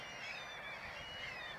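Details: An adult Mediterranean gull resting at Källstorp wetland, Falkenberg, Halland, on 14 April 2009, amid nasal, honking calls that run together into a steady, dense chorus of overlapping voices, with a constant broad background hiss.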